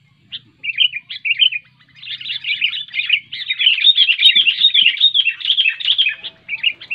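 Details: Sooty-headed bulbul in loud song, used to trigger singing in lazy bulbuls: a few separate whistled phrases building into a continuous, busy stream of bubbly notes.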